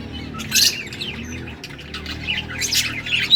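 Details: Yellow budgerigars chirping, recorded August 6, 2024: scattered high chattering notes in two louder bursts over a steady low hum.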